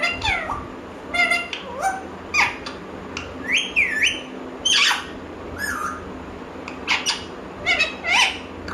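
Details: A parrot talks in a near-continuous run of harmonic, speech-like syllables, with curved rising-and-falling squawks and clipped clicks repeated roughly every second, over low steady background noise.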